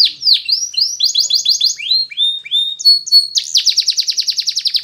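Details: Canary singing for training purposes: clean, high chirped notes rising and falling in quick succession, sliding whistles, then a fast, even, buzzy trill that rolls on to the end.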